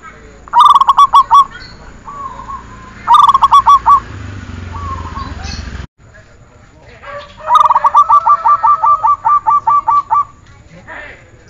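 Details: Repeated zebra dove song for training: three phrases of fast, pulsed cooing notes, the last one longer with around twelve rolling beats, separated by quiet gaps with faint low background hum.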